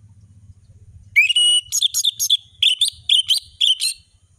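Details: Orange-headed thrush singing persistently with full variation as tutor song for young birds: a rising whistle opens a rapid string of clipped, ringing notes about four per second, with faint low humming beforehand.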